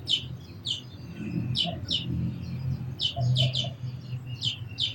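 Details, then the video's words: Sparrow chirps come as quick high double notes, repeated in loose bursts. Faint lower calls sound occasionally, and a noticeable low rumble runs throughout. "Very Beautiful Birds & Sparrows Sounds"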